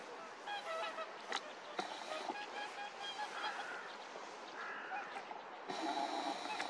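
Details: Brant geese recorded at Verken, Heradsbygd, 2023: a chorus of throaty honks overlaps in quick clusters, some sharp clicks and knocks between, all over a constant rushing background noise that swells near the end.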